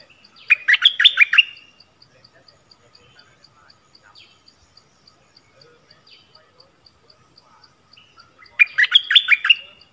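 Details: Decoy Cream-vented Bulbul calling to lure wild bulbuls, 16 March 2021: a burst of fast, bubbly chatter opens, quiet regular ticking follows for about seven seconds, then a second matching burst.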